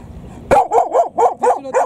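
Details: During the mating period, a domestic goose confronting a person gives a quick series of loud, nasal honks, almost bark-like, about four per second.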